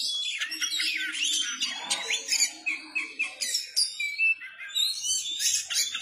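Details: Oriental magpie-robin, known as kacer, singing hard in 'gacor ngeplay' manner with its tail spread: shrill rising whistles, then pulsed bursts of high notes roughly three per second. There is a faint low hum.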